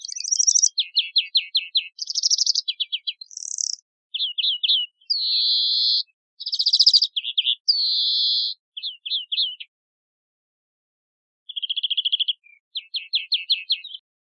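A European greenfinch sings rapid, twittering trills broken by long, nasal wheezes, with brief pauses between phrases. No other sounds are heard.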